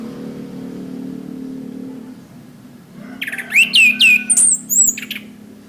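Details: Orange-headed thrush (anis kembang) tutor song for training caged birds: after about three seconds of low steady hum, a lively phrase of looping whistled notes and high thin slurs follows in quick succession.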